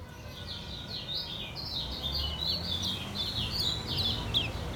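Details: Yellow white-eye from Lombok, kept caged, singing ngejos: a continuous string of high, slurred twitters over a low hum.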